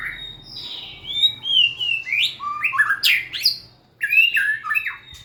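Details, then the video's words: Singing White-rumped shama, dancing and wagging its tail, delivers a sweet slurred whistle, then a fast cascade of ringing notes, a brief silence, and another tumbling varied phrase. "Big Sound Birds Singing Chirping, Dancing And Beautiful Tails Wagging - Birds White-rumped shama"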